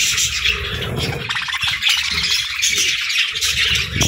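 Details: Morning feeding time for a group of budgerigars, whose chirping forms a constant bright twitter of quick squeaks and trills over soft low rumbling.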